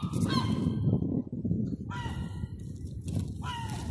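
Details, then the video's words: Hungry seagulls in a city street, Terminus Road in downtown Eastbourne, East Sussex, UK, crying for food during lockdown: short harsh descending squawks repeated over steady low traffic rumble. "Crying for food."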